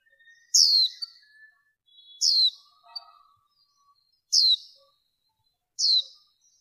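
Warbling white-eye female giving four sharp, very high notes that drop steeply in pitch, spaced about every one and a half to two seconds, with faint lower chirps between.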